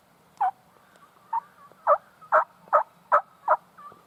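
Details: A big wild turkey tom gobbling on a spring morning in Virginia mountain woods, late season, with his hens nearby: loud, rattling, gobble bursts, about eight in four seconds, set against a quiet woodland background.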